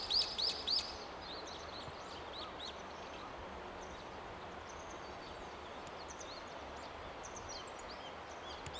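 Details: Brown-eared bulbul (Hypsipetes amaurotis) calling from an overhead wire: four quick, harsh, high squealing notes in the first second, then fainter scattered calls over a steady background hiss.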